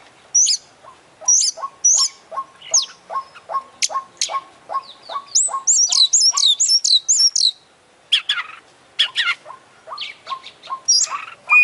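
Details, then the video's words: Oriental magpie-robin, champion kacer in steady full-voiced imitation song: a string of short notes repeated about twice a second beneath high, fast chirps and twittering phrases, then a brief pause before scratchy bursts resume. "Full Isian Juara Internasional Burung KACER Gacor"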